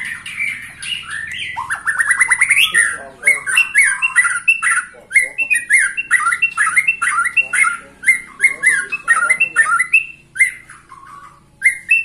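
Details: White-rumped shama, 21 years old and still singing intensely: a rising trill, then a long run of sharp clipped whistles and chattering notes repeated rapidly and insistently.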